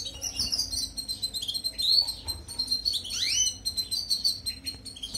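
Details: European goldfinch song played for training canaries: high tinkling twitters and liquid trills with quick rising and falling slurs, over a faint low hum.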